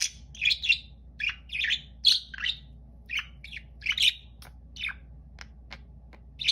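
Budgerigars chatter in quick, scratchy chirps and bright squeaks, bursting out every half second or so.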